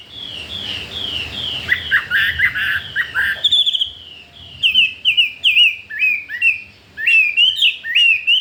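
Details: Wild-caught Chinese hwamei, newly brought home and already wanting to breed, pouring out a long song of repeated slurred whistles, first in a rapid series, then in spaced ringing upslurred notes given roughly twice a second.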